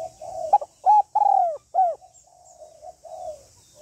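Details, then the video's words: Calling, urging and cooing by a female spotted dove meant to stimulate a male: a soft coo, then three strong, arching coos within a second, trailing into muffled low cooing with light background hiss. "Tiếng Cu Gáy Giọng Hạp BổI ĐỦ BÀI [ GÁY GỌI,THÚC,GÙ ]"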